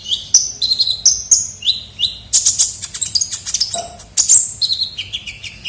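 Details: Gacor kolibri ninja sunbird singing for a lure. Paired short whistles step up and down, followed by a burst of dense, high, twittering chirps and more slurred notes.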